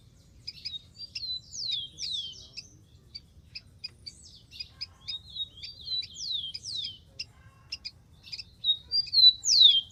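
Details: Free-living rufous-collared sparrow gives repeated phrases of high chips and sharply dropping whistled slurs. The loudest downward sweeps come at the very end.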